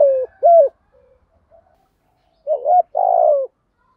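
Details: Spotted dove, a decoy bird, calling in the morning: low cooing notes, two short coos, a pause, then a short coo and a longer rolling coo falling at its end; no other sounds.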